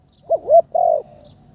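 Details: Spotted dove decoy bird in training for ground trapping, giving a short burst of three low, hollow coos, the first two quick and arched and the last a longer level note, in a quiet setting.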